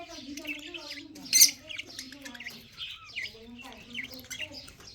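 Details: Breeding budgerigars on March 15, 2024 give a run of short, high, bent chirps repeated every half second or so, with one sharp squeak and a soft lower warble underneath.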